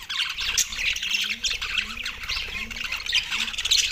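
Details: Australian budgies eating soft food, recorded December 4, 2023; constant high, scratchy chatter and squawks, with soft low rising notes repeating in the background about every second.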